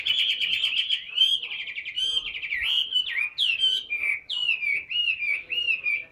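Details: Chinese hwamei, a large tame caged bird that sings a great deal, pouring out continuous rich whistled song with slurred, warbling phrases, sharp upward flicks and wavering held notes, without pause.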